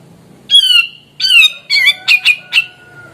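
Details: Grey-cheeked bulbul in full, active song: six loud, harsh, squawky notes, the first two longer and falling, then shorter clipped bursts, in a quiet indoor setting.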